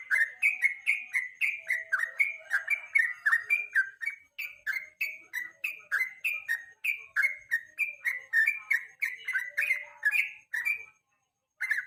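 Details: Long evening sequence from a yellow-vented bulbul, a lure song to train contest songbirds: continuous rapid whistled notes, several per second, rising and falling slurs, ending in a brief silence.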